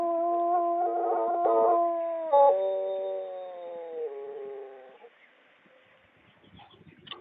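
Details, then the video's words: Champion Pelung chicken from Bandung Raya, Indonesia, giving a long drawn-out crow lasting about five seconds: a steady, richly harmonic tone that wavers, steps lower partway, and fades into a dropping tail, followed by faint rustling. "Kumpulan suara ayam pelung juara"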